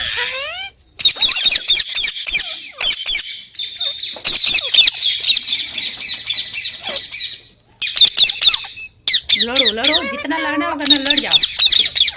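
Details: Green parrot screeching almost continuously in harsh, buzzy bursts, broken by short silences, with a stretch of lower warbling, wavering notes near the end.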